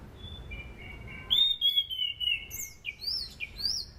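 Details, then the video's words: Sunda pied fantail, its song used as a training lure for other birds. Thin steady whistles fall in steps, then come brighter slurred notes and quick upswept whistles repeated several times. "SUARA ASLI ANIS CENDANA"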